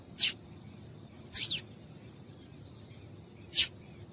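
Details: Calls of a female double-collared seedeater, meant to get males singing. Three spaced, high, piercing chips, the middle one slightly longer and sliding, separated by quiet pauses of over a second.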